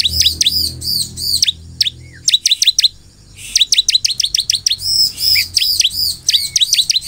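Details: Loud, lively ciblek (crescent-chested puffback) gacor song used to draw replies from other ciblek: dense runs of sharp, high, clipped chips mixed with arched whistled notes, a short pause midway, then the rapid chipping resumes.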